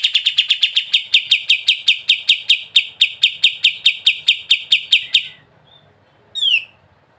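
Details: Kapas tembak, the sooty-headed bulbul, delivers ngebren song: about five seconds of quick, evenly repeated high notes, then a pause and a single falling note.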